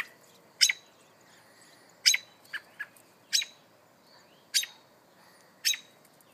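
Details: Adult American robin upset by a person near its nest of three hungry hatchlings in garden bushes; sharp, loud, clipped calls repeated about once a second, some doubled, with quiet gaps between.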